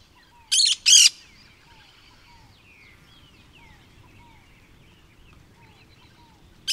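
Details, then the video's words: Cactus parakeet (periquito-da-caatinga) gives two harsh, grating screeches in quick succession, then a third at the end, over soft whistles from other birds. "CANTO do PERIQUITO-DA-CAATINGA"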